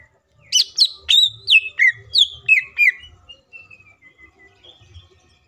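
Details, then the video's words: Green leafbird, or cucak ijo, in full song used to provoke others into singing: eight quick, loud descending whistled notes, then soft fading whistles, with faint low rumbling. "CUCAK IJO FULL ISIAN PALING MEWAHH❗AMPUH BUAT PANCINGAN IJO AGAR CEPAT BUNYI DAN EMOSI!"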